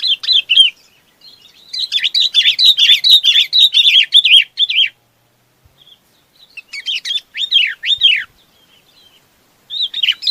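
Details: Chinese babax calling the flock, with long spells of rapid, overlapping chirps and slurred whistles, broken by a few seconds of silence before the next outburst.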